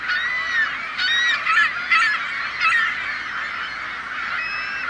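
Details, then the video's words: Gulls in a noisy group. Several clearer, ringing calls with rising and falling inflections stand out over the first two seconds above a continuous background of overlapping squawks. "Seagull Sounds"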